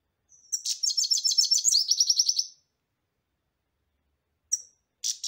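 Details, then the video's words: European goldfinch singing: a fast, high twittering run of tinkling notes lasting about two seconds, then a pause and a few short high chirps. "جميل جدا carduelis الغناء"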